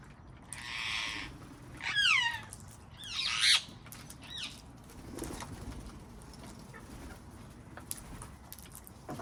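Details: Wild parrots calling in a garden: a long harsh screech, then a bending, wavering call and a rapid raspy cluster of squawks, followed by quieter garden background with faint scattered clicks.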